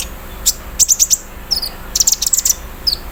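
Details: Morning song of a caged olive-backed sunbird set out in the dew, with embroidery-machine mimicry: rapid runs of piercing high clicks in two bursts, separated by a thin falling whistle.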